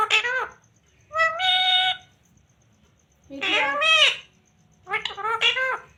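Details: Talking ringneck parrot, green, repeating words in a harmonic, speech-like voice; four phrases, some rising and falling, separated by short silences, with a faint steady high tone in the background.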